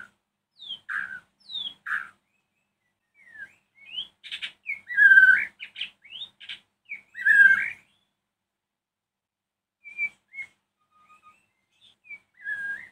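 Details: White-rumped shama singing in the evening, used to provoke other shamas to answer: varied clear whistled phrases, some rising and some falling, given in short bursts with pauses, two louder rich phrases in the middle, soft notes toward the end.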